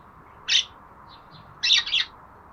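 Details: Pet budgerigar chirping: one bright, scratchy high note, then a pause with two faint peeps, followed by a double burst of raspy chirps close together.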